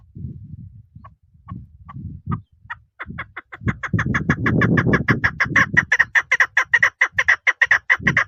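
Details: Female chukar partridge calling: sparse clucks that speed into a steady run of sharp, clipped chuk notes, several per second, over low rumbling background noise.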